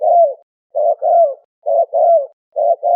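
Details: Turtle dove (Malay dove) giving mellow, low coos in quick succession: a short note followed by a longer downward-sliding coo, repeated three times without pause and with no other noise.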